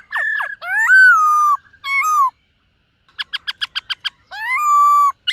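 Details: Morning song of a silver-eared laughingthrush during voice training: long rich whistles that sweep upward and hold, then a fast run of about eight short harmonic notes, ending in another rising drawn-out whistle.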